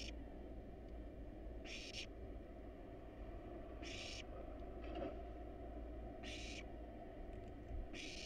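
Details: Barn owl chicks, wild and hungry in a monitored nest box while fed rat and rabbit, give four rasping hisses about every two seconds, with faint extra rustles and a steady low rumble.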